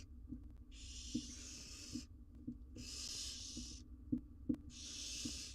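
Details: Four barn owl chicks, wild, in a camera-watched nest box in Israel while the mother is absent: three drawn-out breathy hisses about a second long, interspersed with soft scratching taps and a low hum.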